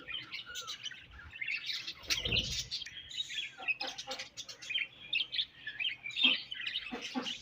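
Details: Colony of budgies chattering in the morning, many overlapping high chirps, squeaks and warbled notes, with a brief low thump partway through.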